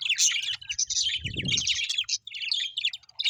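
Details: A group of happy Australian budgies twitters nonstop in high, buzzy, fast chirps, with a brief low thud in the middle.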